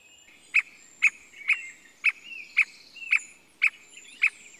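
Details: Squirrel cuckoo in Costa Rica, 2021: short, sharp, emphatic notes given about twice a second in an even series of eight, with faint high chirps between them and quiet background.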